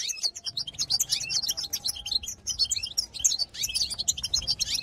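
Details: European goldfinch song, a twittering style locally called 'batbata', played to excite other goldfinches: dense, fast, liquid high twittering with tinkling notes and short buzzy trills, almost unbroken throughout.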